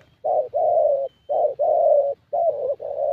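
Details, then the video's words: Spotted dove giving low, hoarse coos in three paired phrases, each a short note followed by a longer drawn-out one, in a quiet setting. "Thổ Tơ Âm Giọng Khá Tốt"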